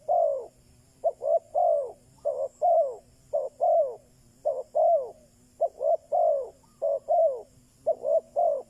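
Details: Spotted dove used as a lure for wild doves, calling continuously in rhythmic coo phrases, paired short notes then a longer descending note, repeated about every second over a quiet background.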